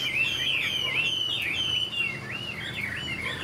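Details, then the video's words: Young caged Chinese hwamei hatched this year, with a continuous flowing song of wavering whistles and bouncy rising-falling loops. "Họa mi chuyền năm nay, cực kỳ tố chất, vẩy đuôi khướu, hót tốt"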